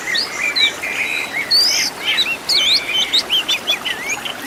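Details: Oriental magpie-robin master song with a full 'isian tembakan' repertoire, used to train caged birds to sing; varied whistled phrases, sliding upslurs and quick rising-falling notes in an irregular run, with a steady high hiss behind.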